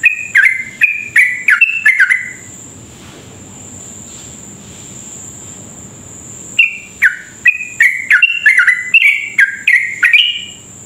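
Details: Sooty-headed bulbul lure song in long 'ropel' style, meant to excite other birds of its kind to sing quickly: a burst of falling, clipped chirps, then about four seconds of quiet, then another fast chirping run, with a constant high whine.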